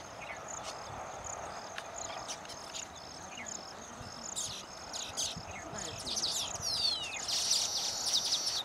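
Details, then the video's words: Baya weavers singing and dancing at their freshly built nests in a mating display, wings fluttering while gripping the nests as females inspect them; dense, buzzy high chatter with repeated thin whistles and sweeping notes, many birds together. "Baya Weavers sing and dance after building their nests"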